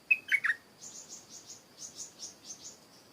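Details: A stripe-throated bulbul in a garden sings one fast liquid phrase of three notes. It is followed by a run of soft, evenly spaced high chirps over a thin continuous insect hum.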